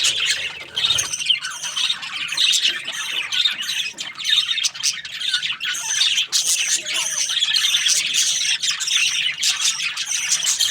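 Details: Budgerigars chirping as a group, Australian parrots filling the air with continuous high twittering, clipped whistles and raspy squawks, growing steadier and denser in the second half.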